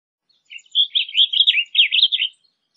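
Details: Blue grosbeak song: a rapid, warbled phrase of rich, slurred notes rising and falling, lasting under two seconds, clean with no other sounds.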